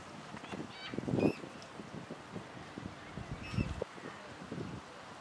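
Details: A common moorhen in Tivoli landscape park, Ljubljana, on 8 September 2023, gives two short, harsh, ringing calls about two seconds apart over a steady low rumble and background noise.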